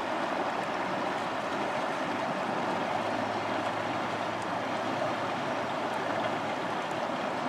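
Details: Steady, even rushing noise like flowing water or a running engine fills the whole recording, with no animal calls.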